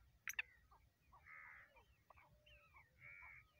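Black francolin giving harsh, grating notes: a sharp click, then rasping buzzy phrases repeated about once a second, ending on a loud snap.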